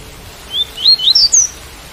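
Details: Double-collared seedeater singing the tui-tui style, with rain sound: a crisp phrase of five rising, slurred whistles packed into one second, climbing to a high thin final note, set against faint steady hiss.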